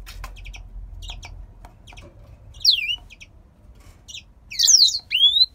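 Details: Captive male grey singer finch from a breeder in Poland, said to sing all day, especially as breeding season approaches: scattered soft high chirps, then loud, bright, sweeping whistled notes that slide downward, in two bursts near the end.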